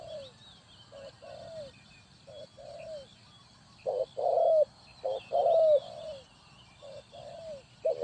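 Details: Spotted dove calling, used as a lure for trapping birds: soft low cooing phrases, a short note followed by a longer drawn-out falling coo, repeated several times with louder phrases midway; faint high twittering of other small birds behind.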